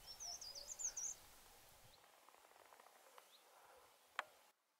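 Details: A Dartford warbler in broom scrub undergrowth gives one brief, scratchy, high-pitched warble lasting about a second, followed by faint background hiss and a single sharp click.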